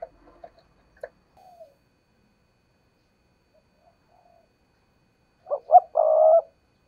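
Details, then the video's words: Spotted dove decoy bird cooing: a few faint low notes and a click after a quiet stretch, then a sudden loud phrase of two short notes and a long hoarse coo. "tiếng cu gáy/ chim cu gáy mồi cây thúc gù căng lửa"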